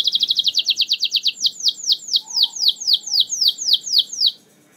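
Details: Canary song meant to coax silent canaries into singing: a quick high trill slowing into a series of about a dozen loud downslurred chirps, roughly two per second, ending abruptly.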